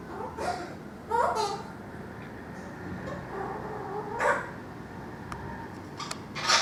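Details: A male pet rose-ringed parakeet, being taught to sing "Twinkle Twinkle Little Star", gives short, nasal, speech-like phrases with wavering pitch indoors. He favours "Up above the world so high". There are about four bursts in under seven seconds, mixed with a person's voice.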